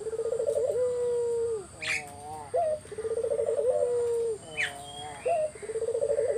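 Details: Spotted dove song serving as a lure to prompt other doves to answer: rolling trilled coos ending in long falling notes, each followed by a short rising coo, three phrases, with bright chirps of other birds in between.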